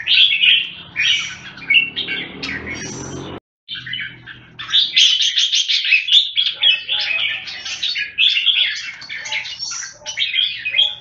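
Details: Long warbling performance from a red-whiskered bulbul: chattering, bubbling phrases, a brief break with low rumbling noise, then dense, fast, continuous bright song.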